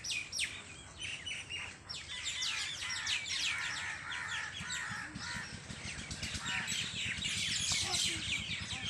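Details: A noisy evening gathering of birds on a farm, harsh chattering calls and high chirps pouring out continuously from many birds, growing denser toward the end.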